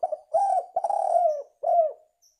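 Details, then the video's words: A Spotted Dove, used as a lure call, gives soft, hollow coos: a short note, then two longer mellow coos sliding slightly down, all low-pitched and unhurried. "Suara Tekukur"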